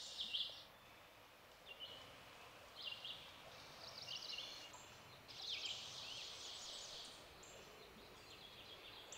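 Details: Cerulean Warbler singing along streams of the Ozark Plateau, Missouri, giving high, buzzy song phrases, short rising bursts of rapid notes about every one to two seconds, over steady background hiss.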